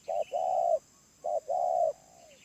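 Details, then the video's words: Two coo pairs from a wild spotted dove with a medium-pitched voice, each a short note followed by a longer flat coo, the last trailing off softly. "Tekukur Liar // Suara Menengah // Penguku Habis"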